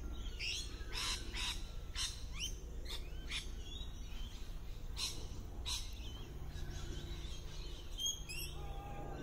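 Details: Lorikeets in a tree, well camouflaged and hard to spot, giving harsh broadband screeches in a loose series of about a dozen short bursts over nine seconds, with a few thinner chirps and steady low background rumble.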